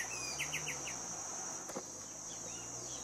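White-winged becard giving four quick, soft whistled notes in under a second, over a steady high insect drone.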